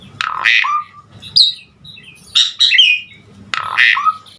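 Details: Bursts of harsh, chattering phrases from a vigorously singing Asian pied starling, its song full of inserts to stir other starlings, with squawks and short falling whistles separated by brief pauses over a faint hum.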